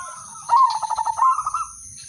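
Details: Zebra dove of the udanmas silver type, song meant to get other doves singing; a single quick run of bubbly, evenly spaced coo notes ending in a brief level tone, with a constant thin background whine.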